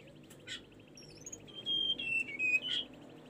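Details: Whistled song of the tledekan gunung, recorded for training caged birds: a quiet scratchy note, then a clear high phrase of short notes stepping down and back up, over a background hum.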